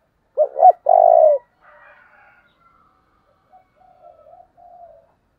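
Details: Spotted dove decoy for luring wild doves utters a single strong phrase of a double note and a long deep coo. Faint, soft trailing coos follow.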